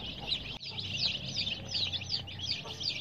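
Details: Young chicks dyed in bright colours chirp in a busy crowd, with sharp high peeps tumbling over one another and a brief click near the start.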